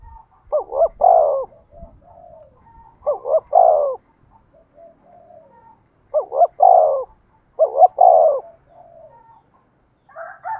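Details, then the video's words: Spotted dove decoy calling to prompt other doves to coo: four low phrases, each two rapid wavering notes and a longer coo, with soft trailing notes between them. "tiếng cu mồi thúc bổi"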